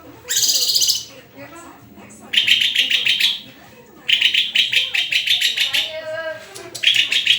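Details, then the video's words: White-rumped shama delivering bursts of rapid, pulsing, harsh trilled notes, about five phrases with short pauses between them. "SUARA INDAH BURUNG MURAI GACORRRRR!!!"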